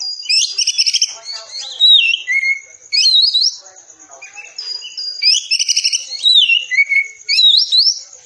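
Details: Dense 'tembakan rapat' training song of an Oriental magpie-robin for caged birds: repeated phrases of buzzy trills followed by downslurred whistles, each phrase about two seconds apart, with faint soft chatter between them.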